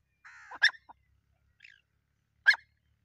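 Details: Partridges fighting: a short harmonic note, then two sharp, harsh bursts about two seconds apart, with a faint brief note between and quiet background.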